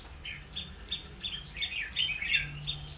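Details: Red-whiskered bulbul calling as a trapping decoy, 16 October 2016: spaced chirps building into a busier warble toward the end, alongside a steady high ticking and a low hum.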